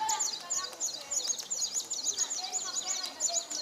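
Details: São Tomé prinia, a displaying male, singing at Nova Moca on São Tomé in January 2019: quick runs of sharp, high, squeaky notes repeated in close succession without pause over soft ambient noise.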